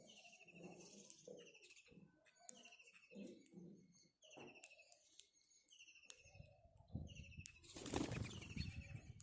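House sparrows give short, bright chirps in quick, uneven runs, about one per half-second, over heavy rustling and wing-flapping noise.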